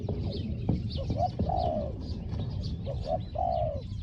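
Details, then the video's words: Spotted dove used as a decoy to lure a wild dove. Its small 'hong hong' voice comes as two cooing phrases, each with clipped lead-in notes and a long descending coo, over twittering background birds. "ต่อนกเขาใหญ่ "เจ้าสาม"ตามตัวหมาย เสียงเล็ก หองๆ"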